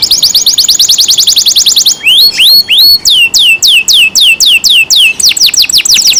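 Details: Canary kept in care, loud song opening with a rapid high trill, then slower rising whistles and steeply falling notes, ending in another fast trill.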